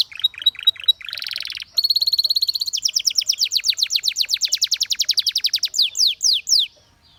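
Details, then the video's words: Canary song opening with a few short chirps and a buzzy block, moving into a steady high trill, then rapid descending strokes that slow into a handful of wide sweeping notes. "The Most Beautiful Canary Chirping Sounds"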